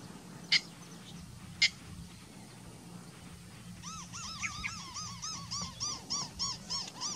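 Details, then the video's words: Immature Yellow Bittern stalking and calling: a run of short, arched, slightly nasal notes, about three per second, after two sharp clicks, over a low steady hum. "Yellow Bittern stalking and call"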